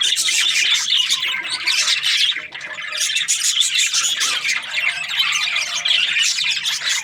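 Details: Happy budgie chatter made of rapid, high, raspy chirps and warbles that run on nonstop, dipping briefly midway before resuming just as busy.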